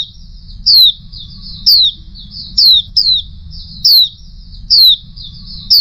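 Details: Oriental white-eye, a female, repeating a sharp high downward-slurred call roughly every second, sometimes with a faint trailing note, against a constant low background hum.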